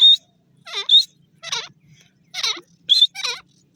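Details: Grey francolin calling in a forest: six shrill bursts in under four seconds, each a high whistled note with harsh, descending trailing notes below, separated by short silences.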